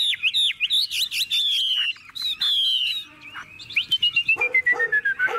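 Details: Caged Chinese hwamei, a tame bird singing while its cage is carried by hand, gives loud varied whistled phrases: quick rising and falling slurs, a long sliding note, then rapid repeated notes ending in a descending whistle.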